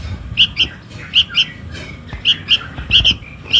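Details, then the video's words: Chick of the sooty-headed bulbul calling its mother, a lure sound: clear, piercing chirps in twos, spaced by short gaps, over quiet low noise. "SUARA PIKAT // ANAK KUTILANG MEMANGGIL INDUKNYA"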